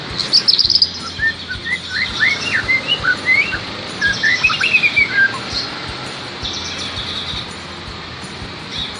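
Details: Caged white-rumped shama taken into a crowded place so it loses its fear of people, singing bright varied whistled phrases, rising and falling notes in quick bursts over the first six seconds, with high chirps and background crowd murmur.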